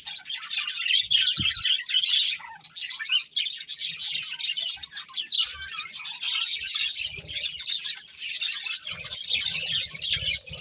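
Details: Breeding pair of budgerigars in sustained chatter, dense high warbling and chirping with short squeaks, faint low thumps now and then.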